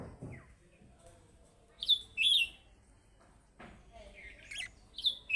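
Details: Budgerigar giving chick-style calling calls that are meant to make other budgerigars answer: scattered sharp high chirps and a short rasping burst, separated by quiet pauses, with a brief low sound at the start.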